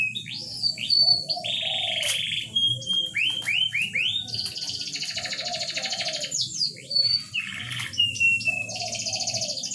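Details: Canary singing, used to stimulate mating in a reluctant bird; dense, continuous high chattering trills and rolling tours, interrupted by thin piercing whistled notes, all high-pitched and loud throughout.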